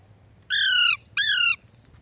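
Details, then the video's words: Pet Ringneck and Alexandrine parakeets kept as talking parrots; two loud, harsh, evenly pitched squawks, each about half a second long, with a short gap between them, over a quiet room background. No words are heard. "My lovely Ringneck and Alexandrin Parrot mian Mithu talking Parrot"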